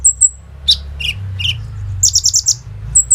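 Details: Olive-backed sunbird (kolibri ninja) singing hard, a lure for training other sunbirds, phone-recorded: thin high whistled notes, sharp downslurred chips, then a quick burst of five bright buzzy pulses and closing twin whistles.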